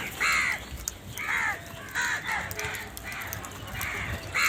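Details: Crows calling loudly: harsh, nasal caws repeated roughly once a second, some overlapping, suggesting several birds.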